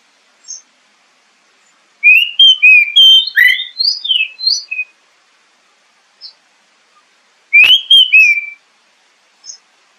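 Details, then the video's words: Oriental magpie-robin song recorded as a lure to prompt singing: two rich bursts of varied whistles, slurred and trilled notes, separated by a pause, with scattered faint high chips. "SUARA PANCINGAN BURUNG KACER AGAR CEPAT BUNYI DAN GACOR"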